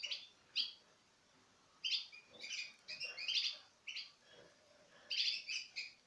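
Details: Citril finch pairs, 2016, feeding from the hand; sharp high chirps in brief groups separated by pauses, some notes rich and buzzy.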